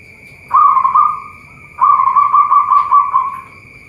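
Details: Local zebra dove (perkutut) from a bird farm in Boyolali, Central Java, Indonesia, giving two rolling, warbled coo phrases at an even mid pitch. The first is about one second long and the second about two seconds, separated by a short gap. A steady high-pitched whine is present throughout.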